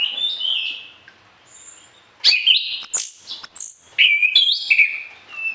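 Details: Orange-headed thrush in full, varied song, meant for tutoring other birds in the morning and evening: clear whistled phrases sliding between high and middle pitches, separated by a short pause, with sharp high notes mixed in.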